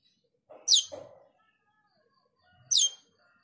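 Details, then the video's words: Male cucak keling (Hill Myna's relative, black-winged starling) singing actively: two loud sharp downward-sweeping whistled notes about two seconds apart, each with a lower rough burst before it, otherwise quiet. "Cucak keling jantan gacor menyusun lagu"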